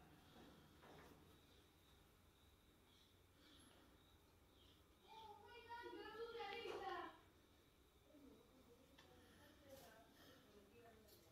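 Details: Tame pet golden macaw mimicking speech: a quiet, room-toned stretch, then about two seconds of harsh, voice-like babble with wavering pitch, followed by softer murmurs.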